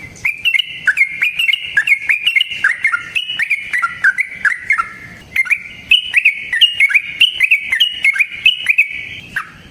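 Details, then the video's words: ["Trucukan, or yellow-vented bulbul, in long unbroken 'ropel panjang' song used as a lure: rapid warbling chatter that wavers up and down, a brief pause, then more fast bubbling phrases."] "Trucukan GACOR ngalas ROPEL PANJANG suara alam AMPUH buat pancingan"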